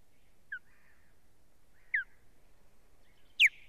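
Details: Female osprey under attack by intruding ospreys at her nest, filmed by a live camera on 1 May 2017: three piercing downslurred whistles, each louder than the last, spaced about one and a half seconds apart.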